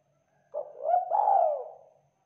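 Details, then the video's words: Spotted dove, local Indonesian tekukur, a vigorous caller meant to trigger replies from other doves; one smooth phrase of low, rising then sagging coos blended into a long mellow note, quiet background. "Suara Tekukur Lokal Gacor Bikin Derkuku LANGSUNG NYAUT dan IKUT BUNYI"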